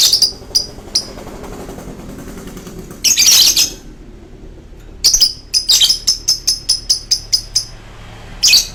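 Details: Lovebird long choking song: scattered sharp chirps, a rough squawking burst, then a brisk series of evenly spaced high chirps.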